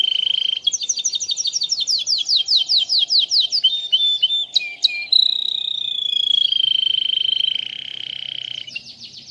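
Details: Melodious, crystal-voiced canary singing: it opens on a steady high tone, then rattles off rapid chirped notes and a short buzzy burst before drawing out a long, clear note that slowly sinks in pitch.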